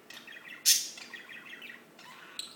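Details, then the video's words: Singing birds, close and loud: rapid bright chirps and twittering runs, with one sharp shrill note near the start and another burst toward the end. "Just singing birds"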